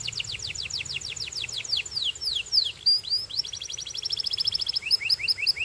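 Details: Singing Belgian canary: a sequence of quick descending whistled sweeps, a short pause, then a rapid chattering trill that ends in evenly repeated upturned chirps.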